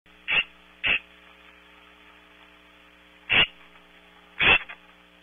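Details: A scrub jay, perched on a branch at Audubon Starr Ranch, California, gives four harsh, rasping calls: two quick ones close together, a pause, then two more spaced a second apart, over a steady electrical hum.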